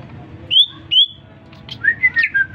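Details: Caged greater green leafbird, recently bought, singing in response to whistling: two high clear slurred whistles, then a jumble of fluty warbled notes at varying pitch.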